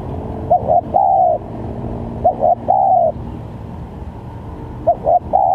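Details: Spotted dove calls used to lure birds for trapping: two complete phrases of paired short notes and a long mellow coo, a quiet gap, then a third phrase beginning at the end.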